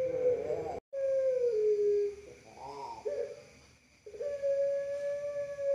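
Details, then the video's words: Pelung dove long voice: drawn-out even tones, one gently falling, broken by a short warbling phrase and brief dropouts in the recording, steady faint hum throughout. "Kumpulan _Suara Puter Pelung Bikin Burung Puter Lain Ikut Manggung Gacor"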